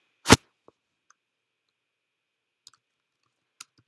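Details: One loud click and a few faint taps sound in a quiet room, with silence between them and no animal voice.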